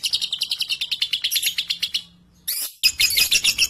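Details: Rapid shrill chirps from a young lovebird, 3.5 months old, singing in front of adults; the burst stops, a short pause follows, then a harsher, higher volley of notes resumes.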